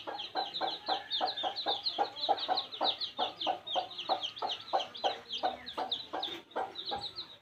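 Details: Baby chicks in a village setting give a steady stream of high, thin peeps, several per second and overlapping, mixed with lower, softer clucking notes.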